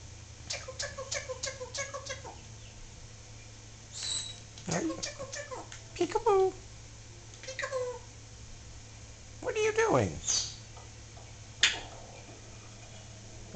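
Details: A Solomon Island Eclectus parrot talks calmly, without screaming, in short speech-like phrases: a quick run of five repeated syllables, then scattered raspy words with pauses, as a person speaks softly nearby.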